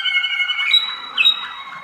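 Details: Waterslager canary, a young bird of 2013, singing sustained rolling tones with a bright steady whistle near the top and a brief rising note, full and continuous.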